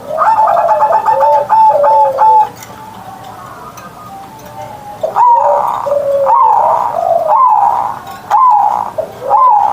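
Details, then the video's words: Morning song of a kept zebra dove in big-voiced 'ngerot' style. Bubbling coo phrases open the clip, then after a quiet pause a series of rising, hooked cooing notes repeats about once a second. "Perkutut Manggung Gacor Suara Besar"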